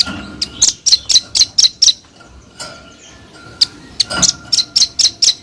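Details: Sharp high chips of a velvet-fronted nuthatch delivered in an uneven run of about seven notes, a pause with single notes, then another quick cluster of piercing ticks.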